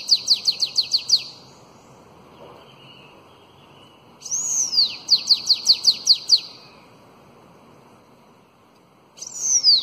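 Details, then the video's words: Sibite (bananaquit) singing the elongated Belgian-style song used to train young bananaquits: rapid series of high, sharp chirped notes, about eight per burst, with a falling whistled sweep opening later bursts, separated by pauses. "SIBITE CANTO BELGA ALONGADO Para ENCARTE De FILHOTES de CAMBACICA"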